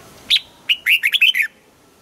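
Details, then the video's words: A red-whiskered bulbul gives its morning song while being trained toward a double-note wild-style song: one sharp note, then a rapid rollicking string of about six liquid, warbled notes, over quiet background. "Luyện giọng cho chào mào hót sáng, ép chào mào hót âm kép già rừng hay tuyệt!"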